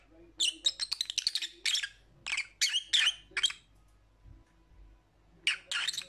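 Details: Lovebird chattering in rapid, piercing squeaks: a fast string of notes opening the sequence, a few spaced shrieks after it, a lull, then a final pair of screechy chirps.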